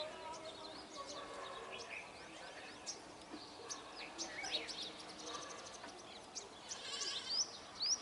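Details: Dense, continuous chatter of a Brahminy starling flock: many overlapping squeaky chirps and short whistles, with a couple of louder rising whistled notes near the end.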